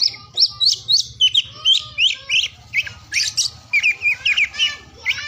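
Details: Morning, midday and afternoon song of an oriental magpie-robin, meant to stir silent or lazy birds into singing: a rapid run of bright whistled notes and rising slurs, steady chirping phrases with brief pauses.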